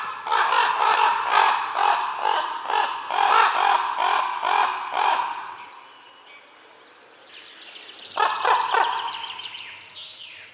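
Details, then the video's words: Crow giving a rapid run of harsh, hoarse caws, about a dozen short calls in quick succession over five seconds, then a quiet gap before a shorter burst of caws mixed with higher, thinner chatter. "Sounds of a crow"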